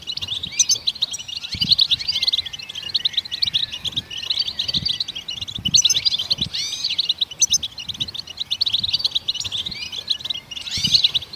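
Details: Goldfinch song aimed at stimulating other songbirds: long, continuous twittering of high chirps and curling slurred notes, rising and falling in intensity, with faint low bumps.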